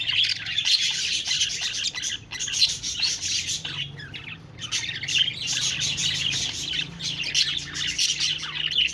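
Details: Budgerigars twittering nonstop, many voices layering scratchy chirps and soft warbles, with a brief dip in the chatter midway before it builds again.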